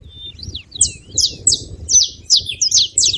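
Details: {'text': 'Several saffron finches calling: a thin whistled note, then a run of sharp, high, downslurred chirps, about two or three a second, over a low background rumble.'}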